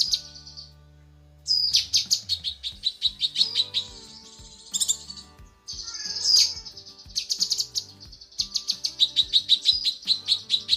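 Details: Female cucak kinoi calling to a male in a bird-training recording: bursts of rapid high chirps and sweeping whistles, ending in a steady stream of quick bright notes, over soft low humming tones.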